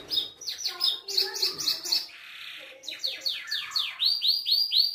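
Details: Belgian canary giving a distinctive song: fast rolling trills of repeated downward-sweeping notes, a brief buzzy rasp midway, then a bright series of clear rising-falling whistled syllables, about four per second.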